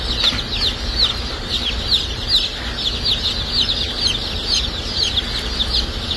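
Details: Dark Brahma chicks, just hatched and ready for shipping at a hatchery, a crowd of shrill, short peeps running nonstop and overlapping, above a droning machine hum.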